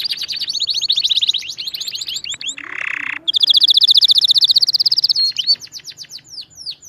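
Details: Nonstop canary song for teaching young canaries: long rolling high trills of about four notes a second, broken by a short harsh lower buzzy burst, then a very fast trill and scattered chirps.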